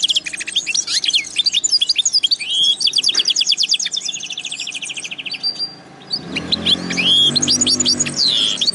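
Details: Linnet x canary hybrid delivering a long, varied song of rapid trills, repeated chip series and whistled slurs. A brief pause comes midway, then the song resumes with ringing up-slurred notes over a low hum.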